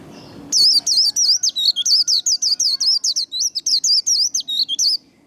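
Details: White-eye singing the fast competitive líu đấu twittering style, played to stimulate and train singing: a rapid, unbroken run of high, clear, swooping whistled notes, roughly four per second, in a quiet room.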